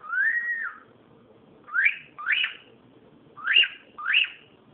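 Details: Cockatiel calling, recorded on an Android phone: a drawn-out arched whistle followed by four shorter rising-then-falling whistled calls spaced about half a second to a second apart, over faint room noise.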